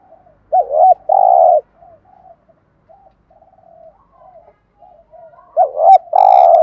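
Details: Spotted dove lure call, male and female birds, for training caged doves: a loud two-part phrase of warbling coo and long steady coo, then soft, quiet coos, then the loud phrase again.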